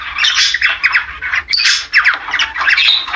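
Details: Budgerigar courtship chatter meant to trigger mating and egg-laying: busy, high, grating warble with sharp chirps and squawks overlapping in quick succession.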